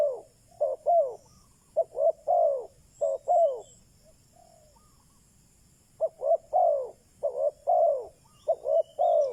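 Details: Spotted dove kept as a decoy to attract wild doves, giving soft hollow coo phrases, each a clipped note followed by drawn-out downslurred ones, a quiet gap of about two seconds midway, then more phrases.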